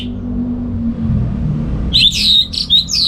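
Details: Orange-headed thrush (anis merah) at home, morning song used to train other birds; after a quiet stretch, a short burst of fast, bright whistled notes.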